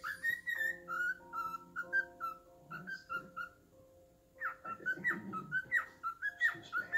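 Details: Pet cockatiel on Halloween whistling the tune "Twisted Nerve" while singing to its owner's foot: clear, rising and falling whistled phrases repeated in two bursts with a short quiet gap, over a faint steady background hum.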